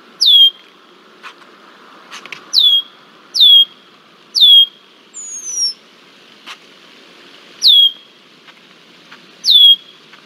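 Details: Red-winged blackbird persistently harassing a bald eagle at Decorah, Iowa, on 20 July 2023. Sharp, high whistled notes slide downward, each followed by a thin upper overtone, repeated at irregular intervals of about one to two seconds. Faint clicks sound between them.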